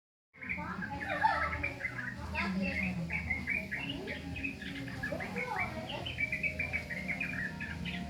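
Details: Young sooty-headed bulbul (jogjog/trucukan) learning to sing: a rambling run of short chirps and slurred whistled notes, some rising, some falling, with a steady low rumble of background noise.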